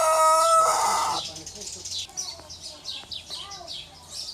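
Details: Tail of a loud harmonic rooster crow, from one of several breeds, fading after a second, followed by a series of soft high chirps from other birds.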